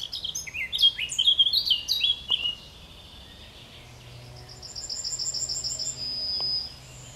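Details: A Yellowhammer sings at the edge of Kabaty Forest: a quick run of repeated high, scratchy notes followed by a thin, drawn-out whistle, with soft background hiss.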